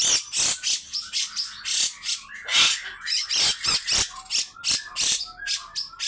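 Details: Grey-cheeked bulbul giving a steady stream of coarse, rasping 'besetan' bursts, roughly two per second, with thin whistled notes slipped in between.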